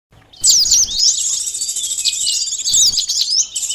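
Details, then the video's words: Sunbird lure song used for catching birds: dense, very high twittering with fast sweeping and zigzag notes, starting after a brief silence and running almost without pause. "suara pikat burung konin sogon korlap kolibri madu || pancingan suara burung madu"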